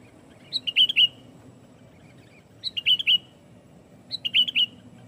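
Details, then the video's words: Sooty-headed bulbul, used to lure and pressure rival bulbuls, repeating a short phrase of four or five bright whistled, slurred notes about every one and a half seconds, over a faint low hum. "SUARA BURUNG KUTILANG GACOR SUARA RAPATBIKIN KUTILANG LAIN IKUT GACOR"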